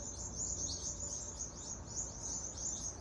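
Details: Birds in Adelaide, Australia, chirp loudly while a rat chases them, a steady stream of fast, high, slightly buzzy chirps from several callers over low background noise.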